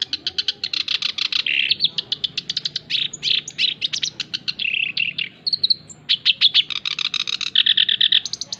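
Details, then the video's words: Vigorous song of a male black-browed reed warbler, recorded to tutor and attract other birds: continuous rapid chatter of raspy, rhythmically repeated notes, broken by a brief thin whistle and buzzy phrases before the chatter resumes. "Bunyi Burung Kerak Basi Alis hitam (SINCHAN) Jantan Gacor"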